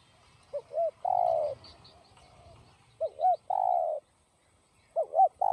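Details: 'Giọng đồng' style spotted dove song, 'gáy thúc gù', meant to excite other doves: three phrases, each two short rounded hoots then a long steady low coo, repeated about every two seconds in a quiet setting.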